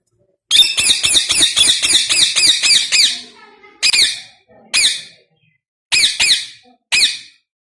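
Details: Rose-ringed parakeet (ringneck parrot) natural voice: a fast burst of about ten harsh, shrill squawks, then single and paired squawks spaced about a second apart.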